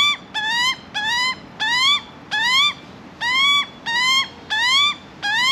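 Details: Young Australian magpie in Australia pleading for food with regular upslurred nasal squeals roughly every second and a half, loud and clear against a quiet background.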